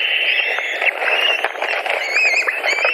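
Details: At a White-tailed eagle nest in Latvia, 16 July 2020, with an adult bringing fish: a continuous stream of overlapping high whistled, wavering calls with thin squeaky overtones and some rustling.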